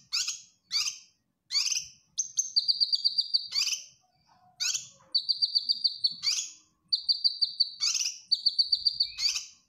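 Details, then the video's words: Master song of a singing cucak kinoy bulbul for training caged birds: short sharp high chips, then cycles of a harsh rasping burst leading into a fast, even, high-pitched trilled rattle. "Cucak Kinoy Gacor Masteran"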